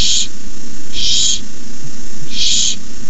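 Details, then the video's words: Barn owl owlets at night, 9:57pm on 18 May 2015, around the time the adult Casper delivers a rabbit: harsh, breathy hisses, each about a third of a second, three in three seconds, over a steady low rumble. "Owlets hiss."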